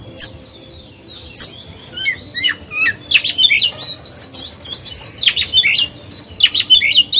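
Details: Lure oriental magpie-robin singing to provoke other birds: scattered sharp clicks and short whistles building into bursts of quick, jumbled warbling phrases separated by brief gaps.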